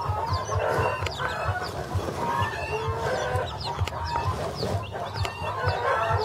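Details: Flock of Pavlovskaya chicks calling: dense, continuous high-pitched cheeps and upward-slurred chirps from several birds at once, over low clucks and occasional sharp taps.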